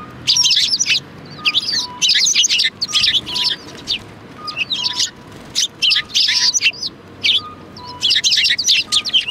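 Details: Sparrows at a Tenmangu shrine, 4 March 2020, keep up busy, overlapping high chirping in repeated bursts, with faint brief lower tones in the background.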